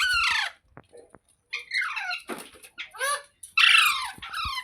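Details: Rasping, screechy parrot calls in uneven bursts, mixed with a noisy rushing burst and a few clicks, closing with a loud harsh squawk.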